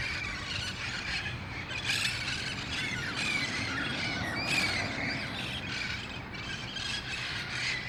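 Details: Wild red-faced parrots at El Cajon on August 1, 2018, gathering at dusk prior to roosting nearby; a continuous clamour of rasping squawks and squeals, with steady low-pitched background noise.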